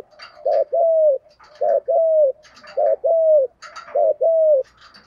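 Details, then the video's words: Spotted dove singing in the 'giọng thổ' style. Four matching phrases come about once a second, each a short throaty double note and then a drawn-out, slightly falling coo, with faint higher scratchy sounds between them. "cu gáy giọng thổ"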